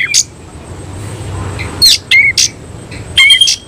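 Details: Oriental magpie-robin, semi-Cililin type, singing with tail spread: after a lone chip and a quiet pause comes a short cluster of high squeaky whistles and sharp chips, with a low hum beneath.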